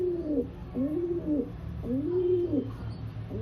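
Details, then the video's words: Rock pigeon cooing in a series of low, rounded coos, each swelling and dipping, three phrases in quick succession with a faint background hum. "Rock Pigeon Sound"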